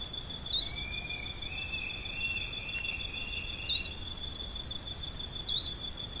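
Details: Plain xenops recorded in Santa Maria do Salto, Minas Gerais, Brazil: a short high rising note repeated about every three seconds, over a steady high insect drone and a faint lower trill.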